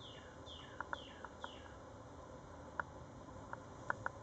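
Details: A migrant Wood Thrush at Pasco Palms Park, Holiday, Florida, 22 April 2014, gives short, sharp pit notes singly and in pairs; another bird's four thin falling whistles open the clip over a steady insect drone.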